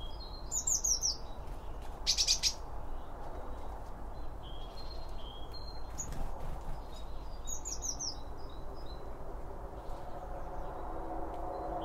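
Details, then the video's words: Birds chirping while feeding at a bird feeder, captured in binaural stereo with one microphone on each side of the feed: bright, quick high twitters come in bursts, with sharp clicks and pecking taps over a constant low rumble. "BIRD FEEDING SOUNDS"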